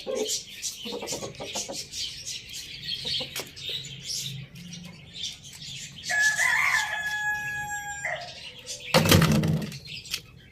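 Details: A rooster crowing in a farm village: one drawn-out, harmonic-rich crow lasting about two seconds, then a loud broad burst, over steady high chirping from many small birds.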